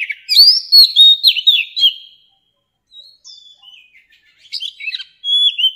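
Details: Song of a wild adult Oriental magpie-robin used to teach young birds: a lively run of sweet modulated whistles and scratchy accents, then faint scattered notes, ending with renewed clear whistled phrases.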